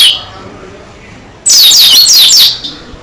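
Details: Oriental white-eye of the dakun type singing in gacor style with an open beak: after a quiet start, a loud one-second burst of very high, rapid, sliding whistled notes tumbling downward.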